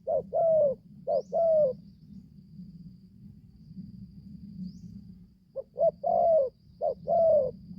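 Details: Young spotted dove, newly calling, out in the forest for its first training session; two bursts of short-then-long coos separated by a pause of several seconds, over a low background rumble.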